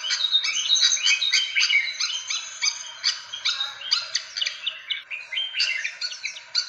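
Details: Fantail calls played to attract birds: high, crowded chirps and quick upslurred whistles in an unbroken, jittery stream.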